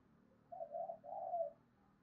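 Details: Faint spotted dove coo meant to draw rival males to fight: two smooth, level coo notes, the second slightly longer and falling at the end, over a low hum.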